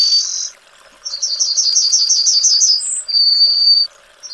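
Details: Yellowhammer (Emberiza citrinella) singing: a fast run of thin, high, repeated notes, then a sustained slightly lower drawn-out note, with a short high note before it and a brief note at the end; steady faint hiss behind.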